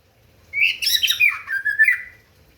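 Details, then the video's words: A single song phrase from a white-rumped shama singing to provoke rivals: a loud, harsh, rasping burst that slides down into clear whistled notes and ends on a short rising whistle. "Murai batu ampuh memancing emosi lawan"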